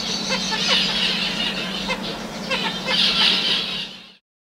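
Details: Courtship song of a male zebra finch directed at an uninterested female: bursts of harsh, buzzy notes mixed with quick ticking elements, loudest near the end, over a constant low hum before cutting off abruptly.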